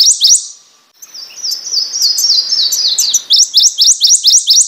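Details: Prothonotary warbler singing a run of emphatic rising notes, then a softer trailing series of descending slurred notes, before resuming the loud, evenly spaced upslurred phrases at a quick steady pace.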